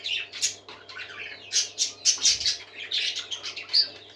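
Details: Several happy parakeets singing together: dense, overlapping bright chirps and warbled twitters in quick bursts, with a steady low electrical hum underneath.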